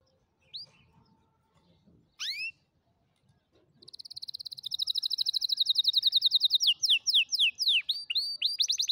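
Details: Canary song used to teach young canaries to sing: after a few scattered chirps, a fast run of high repeated notes builds into sweeping trilled phrases at several notes per second.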